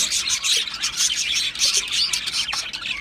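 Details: Budgerigars from Australia chattering in a busy, high, scratchy warble of rapid chirps with no pauses.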